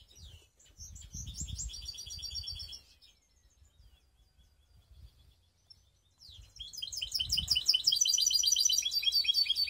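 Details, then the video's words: Song of a canary hybrid, a baster, from Skopje. Busy high chirping trills last a few seconds, followed by a quiet pause of about three seconds. The song then returns as a louder, dense, continuous warbling trill. "Canary mixed best song"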